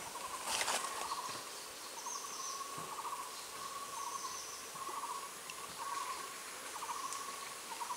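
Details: At a nest in Jiaxian, Taiwan, on 2 May 2021, a male collared owlet brings food to the incubating female; short, rapid, mid-pitched trilled bursts come about every 1.5 seconds, with faint high whistles and hiss.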